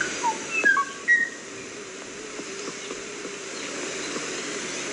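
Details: Kauai ʻōʻō with a rapid burst of four or five pure whistled notes at changing pitches in the first second and a half, followed by quiet background hiss.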